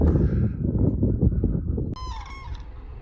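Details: Cranes calling in the distance during a spring walk on the High Coast, heard as a sign of spring; about two seconds of heavy wind rumble, then a single harmonic, slightly falling call lasting about one second.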